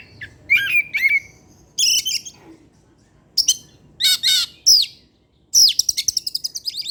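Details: Caged Oriental magpie-robin in full late-afternoon song, delivering imitated material as a lure for other birds: bursts of bright whistles and harsh buzzy notes, ending with a fast run of about a dozen repeated clipped notes.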